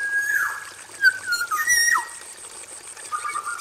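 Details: Caged male Black-naped oriole in an aviary gives liquid whistled notes, a level tone dropping into a slur, then a rising-falling whistle and a lower warble, over a constant high-pitched hiss.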